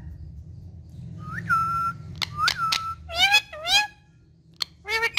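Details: Pet ringneck parrot mimicking speech and whistles: two long flat whistled notes, then a pair of warbling, speech-like syllables and a final short chirp, over a faint low background hum.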